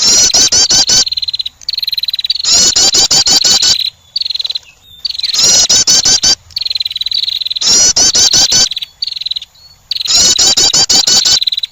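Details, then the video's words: Female wren calling to attract: bursts of rapid, sharp, very high ticking notes, each run straight into a steady thin high trill. Each burst lasts about a second and repeats roughly every two to three seconds, with brief quiet gaps between. "the sound of a female wren bird attracting"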